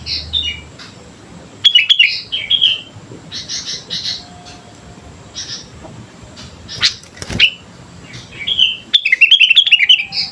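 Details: Sooty-headed bulbul singing vigorously, used as a lure to train birds: repeated bright, bubbly chirped phrases, short clusters of quick notes with gaps between them and a brief sharp burst in the middle, over faint low background hum.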